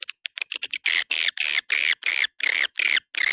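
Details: Swiftlet lure sound of the 'Dua Bidadari' kind, for attracting swiftlets: a few quick clicks, then a run of harsh, squawky chirps of about equal length, repeated roughly three times a second.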